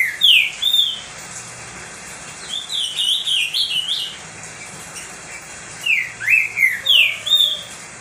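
Green-winged saltator singing loud, clear whistled phrases that slur up and down, in bursts of three to five notes separated by short pauses.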